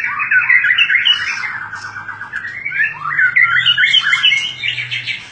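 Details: Murai batu, or white-rumped shama, delivering fighter-style song: a continuous, buzzy, warbling stream of varied phrases that rises and falls, with a faint low hum underneath.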